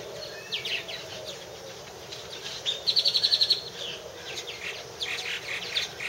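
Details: Purple martins at a nest house, 2014: soft scattered chirps, then a crisp run of about eight evenly spaced high clicking notes, followed by more loose twittering from several birds.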